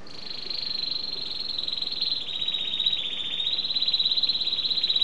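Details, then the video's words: Canary singing a long, fast rolling trill, high-pitched and steady, dipping slightly in pitch midway then rising again, with the pulses growing louder toward the end. "Κελαηδημα Καναρινιων-singing canary"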